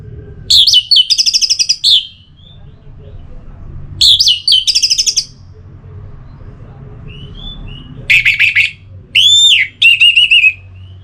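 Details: Four bursts of Orange-headed thrush song, meant to get birds singing: buzzy warbled clusters at the start and near four seconds, then strong whistled notes including a rising arched note toward the end.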